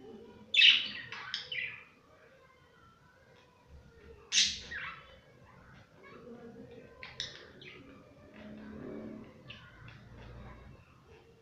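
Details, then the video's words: Pet budgerigars at play: loud harsh squawks in bursts near the start and middle, then softer scattered chirps and quiet chatter in an indoor room. "My budgies playing"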